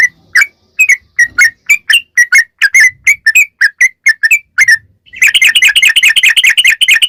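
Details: Sooty-headed bulbul song for luring bulbuls: a string of separate bubbly whistled notes over about five seconds, then an abrupt switch to a dense, rapid, buzzy trill, with faint low noise early on.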